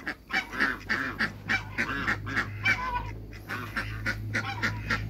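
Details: Farm African geese calling among other waterbirds, short nasal honks repeated quickly and fairly evenly, several birds overlapping, over a steady low hum in the background.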